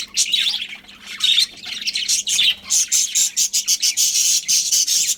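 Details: Colony of budgerigars calling: rasping chatter at first, then a run of short sharp chirps repeated about four times per second toward the end.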